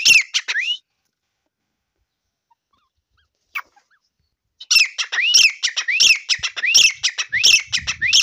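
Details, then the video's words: Grey francolin calling: a brief burst of rising, whistled notes with sharp clicks, a pause of near silence, then a long run of loud, harsh rising notes and clicks repeated rapidly, roughly one and a half per second. "Teetar awaz | teetar sounds"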